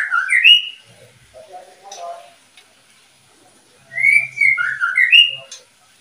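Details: Captive oriental magpie-robin, one of a breeding pair, giving loud whistled phrases of sliding, slurred notes that rise and fall. A first burst opens the recording, then a quieter lower warble follows, and a second bright series comes near the end.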